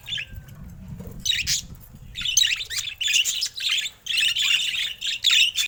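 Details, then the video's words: Pet budgerigars, colorful rare mutations: a faint chirp and low rumbling background, then rapid repeated bursts of harsh, warbling chatter from several birds filling the rest. "Colorful Budgies Rare Mutations Bird Sounds"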